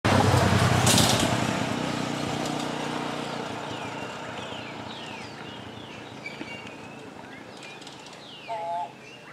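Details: Turquoise-browed motmot calling from a branch in Guanacaste, Costa Rica, in March 2023. A brief, low, hollow double-toned hoot comes near the end. Thin sweeping chirps from other birds run throughout, and there is a voice and rustling at the start.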